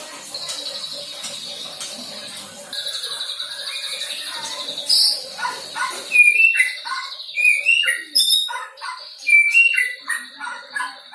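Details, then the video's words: A young white-rumped shama, newly independent and learning to sing song material, gives sharp whistled notes and short varied phrases in the second half. A steady insect-like buzz runs through the first part. "MURAI BATU PASTOL GACOR BELAJAR BAWA MATERI"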